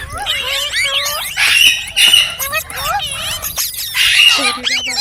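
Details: Pet ringneck parrot talking, singing and making funny sounds: rapid speech-like chatter of gliding, warbling tones, broken by two harsh, hissing screeches, then more chattering and a short rising squeal at the end.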